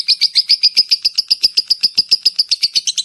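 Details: Lovebird chattering to lure other lovebirds, quick shrill chirps repeated about seven times a second in a steady, insistent string.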